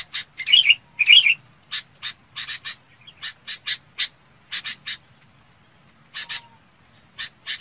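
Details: Red-whiskered bulbul calling the flock with a rapid, uneven stream of rough chip notes. Two loud buzzy bursts open the sequence, followed by pairs and triplets of clipped notes.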